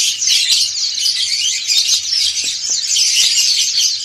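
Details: Many white-eyes of the dakun and montanus kinds singing ngriwik in unison, a dense shrill twittering chorus swelling and easing every second or so, with faint clicks below.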